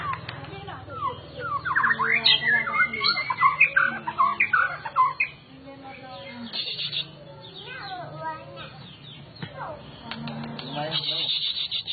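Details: White-rumped shama, a kept collection bird, singing a rich, varied run of clear whistled phrases, rising and falling slides and quick chattering notes, loudest over the first five seconds, then softer scattered notes over a steady low hum.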